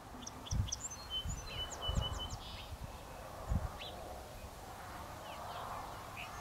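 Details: Song sparrows singing on 25 April 2018 north of Valeport, Saskatchewan, Canada: one close by gives a quick, bright song of clear opening notes into a rattling trill, another answers fainter from the field, over low wind rumble.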